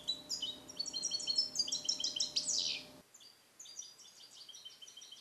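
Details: Captive 2021-born European goldfinch trained in Neapolitan song, recorded in a small carrier; a rapid run of bright high twitters ending in a harsh descending sweep, then softer twittering after a brief gap, faint hum beneath.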